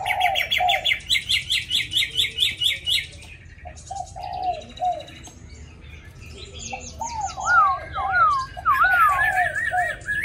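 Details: Hwamei kept in a cage, tamed but singing in a wild-type voice and singing constantly, opens with a rhythmic run of repeated looping phrases. After a pause, lower slurred notes lead into clear rising-and-falling wavy whistles.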